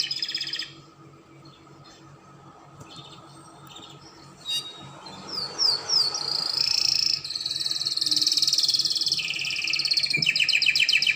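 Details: A canary (Belgian canary; labelled Spanish Timbrado, a song offered for young canaries to learn) sings high, rapid trills and rolling chirps that build into a continuous metallic warble, broken by a few sharp clicks.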